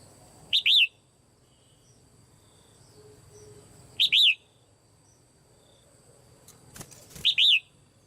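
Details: Female red-whiskered bulbul calling in a cage to stir other birds into strong song; three identical arched whistled phrases spaced about three seconds apart, with clicks and low hum.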